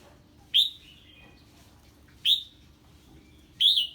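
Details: Red-whiskered bulbul reacting to an unfamiliar bird, giving three loud, clear whistled notes that slide downward, spaced about a second apart, over a quiet low hum.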